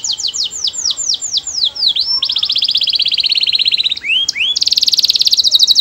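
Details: Canary singing melodiously, used to coax other canaries to sing: a series of rapid descending whistled sweeps, then a long buzzy trill, a few sharp upward notes, and a fast bright rattling trill to the end.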